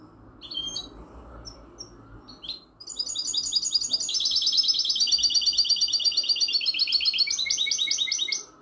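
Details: Song of a captive European goldfinch x canary hybrid (mule): a few sparse high chirps, then a loud, fast, continuous run of rapid trilled and twittering notes with buzzy rolls lasting about six seconds, over a faint low hum.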